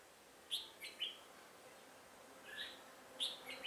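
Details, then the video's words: Red-whiskered bulbul recorded during trapping on 1 October 2018. Separate sharp, bright whistled notes are spaced by quiet gaps, with a louder pair of notes near the end. "Bẫy chào mào Họng ếch ương"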